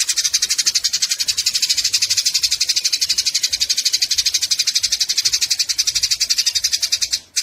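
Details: Eurasian tree sparrows chattering as they fight, recorded as tutor material for cage songbirds: a continuous, fast run of harsh, high chirping pulses, about four each second, ending abruptly.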